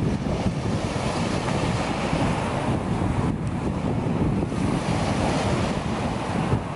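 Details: Waves and strong wind buffeting the microphone at a beach, with no gull or other animal calls audible.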